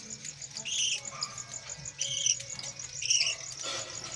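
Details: Budgerigar parents feeding their five captive chicks. Three separate bursts of high, squeaky chattering notes rise above a constant thin ringing background, with soft rustling in between.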